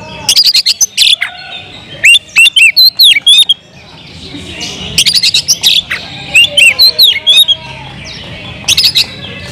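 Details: Loud Oriental magpie-robin song meant to provoke rival magpie-robins, given in three bursts of sharp clicks and sweet, curling whistles, with short quiet gaps between the phrases.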